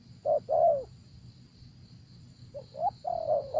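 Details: Spotted dove cooing during decoy luring of wild doves: a short coo and a longer falling coo, a pause, then broken rising and level notes, with a constant high whine behind.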